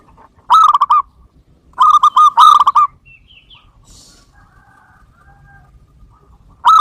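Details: Zebra dove of the local type, played as a lure: two quick rolling phrases of stacked cooing notes, then a quiet stretch with faint soft notes, and a new phrase starting at the end.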